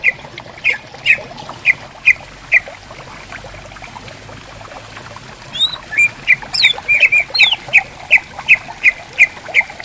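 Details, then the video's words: Greater green leafbirds calling back and forth in riverside bamboo forest: crisp notes repeated roughly twice a second, broken midway by a cluster of high swooping whistles, then the regular notes resume, with flowing water behind. "Suara Burung Cucak Ijo Gacor Di Hutan Bambu Bersautan, Di Pinggir Sungai"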